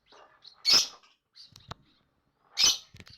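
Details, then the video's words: Chattering lovebird giving two loud piercing shrieks about two seconds apart, with soft scratchy notes and faint clicks between. "Ocehan Burung Lovebird"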